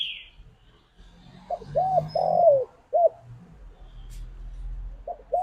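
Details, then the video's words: Spotted dove calling its companions, a single phrase of soft arched coos with one long wavering falling note, set over a steady low background hum and a brief high chirp at the start. "Suara Burung Tekukur Memanggil Temannya"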